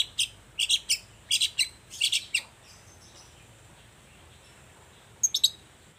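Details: Active long-tailed shrike in morning song, played to provoke silent shrikes into answering: a quick series of grating double and triple chirps, then about three seconds of silence and a final short burst.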